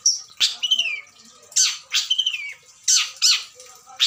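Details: Adult breeding Long-tailed Shrike singing imitation-rich song: loud harsh rasps alternate with clear downward-sliding whistles in pairs, a pattern repeated roughly every one and a half seconds.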